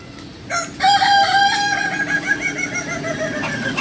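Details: A Kukuak Balenggek rooster at a Sunday practice gathering in Ampangkualo opens with a sharp note, then holds a long, bright, stepped crow for about three seconds. Other background crowing continues softly under it.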